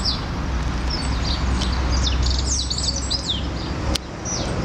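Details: Goldcrest feeding in Norway spruce in a front garden in Hull: very high, thin, down-slurred tsee notes in quick irregular runs over a steady low traffic rumble.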